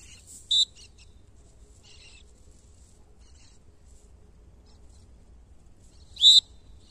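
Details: A male aplomado falcon, bred in captivity in Brazil in the 2020 season, utters two brief, piercing high notes about six seconds apart. Faint scattered chirps sound between them against a calm, low-level background.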